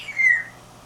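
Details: An African grey parrot, pet, sitting playing and talking, gives a single clear, slightly falling whistle, part of its mimicked repertoire.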